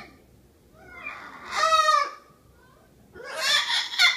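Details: A Miligold macaw, a pet, vocalising while running its beak: two harsh, raspy squawks, the first with stacked tonal bands and lasting about half a second, the second noisier and broader near the end, over a quiet room background.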